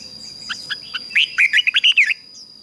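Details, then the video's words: Red-whiskered bulbul singing as a decoy to attract wild birds: soft rising chips lead into a fast string of about seven clear, ringing whistled notes, over a constant high whine and light background hiss. "Chào Mào Mồi Hót Gọi Chim Rừng Kích Chim Hót Hay"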